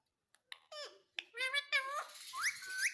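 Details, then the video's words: Green pet parrot uttering several buzzy harmonic calls, then rising whistled notes over a rougher, noisy background toward the end. "मे तोता हरे रंग का || मिट्ठू की आवाज बहुत प्यारी है"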